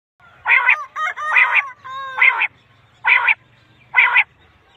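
A quail gives harsh, nasal, buzzy notes. Two come close together, then the rest are spaced about a second apart, five in all.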